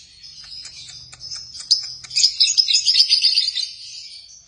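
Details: Lovebirds chirping: rapid, high-pitched squeaky twitters, several per second. They build into a louder, busier chatter midway, then fade to softer chirps.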